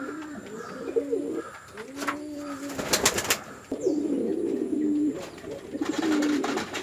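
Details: Pigeons on a Chittagong District farm, Bangladesh, male and female fighting: soft, low coos in separate phrases, broken by a burst of sharp clattering near the middle and some later scuffling.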